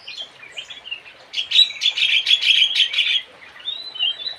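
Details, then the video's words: High twittering from the Javan cochoa, locally kidangan jawa or kaso kaso: soft chirps build into a dense, loud burst of rapid notes, then a few thin drawn-out whistles trail off. "BURUNG KIDANGAN JAWA / BURUNG KASO KASO ZHORO"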